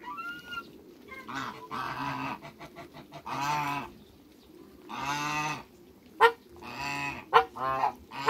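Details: Backyard African geese, two ganders and one goose, give drawn-out nasal honks spaced a second or so apart, plus a few sharp clicking sounds late on.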